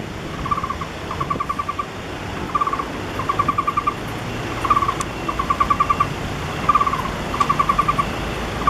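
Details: Taiwan barbet fledgling lying at its nest hole, about 2 m up a camphor tree beside a roadside four-storey apartment near the National Palace Museum, 28 August 2013, waiting for its parents to feed it. It gives short rapid bursts of mid-pitched notes about every second, over steady traffic hum.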